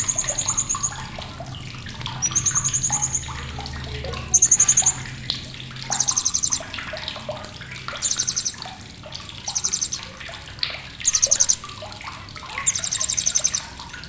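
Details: Blue-crowned hanging parrot giving repeated sharp chattering, meant as tutor material for competition songbirds: about eight short bursts of very high, rapid buzzy pulses, spaced one to two seconds apart, amid constant lower chirps from other birds and a faint hum.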